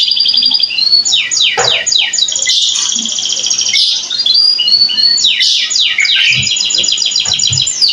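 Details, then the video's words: Domestic canary in loud, continuous song: fast sweeping trills and rolling buzzy tours, repeated rapid downward-slurred notes, with faint low background noises. "VIDEO PENDEK Burung Kenari"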